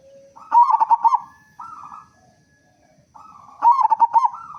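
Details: Deep-voiced local zebra dove cooing to lure other doves into song: a stuttering, throaty trilled coo, a short softer note, then the trilled phrase again after a quiet pause.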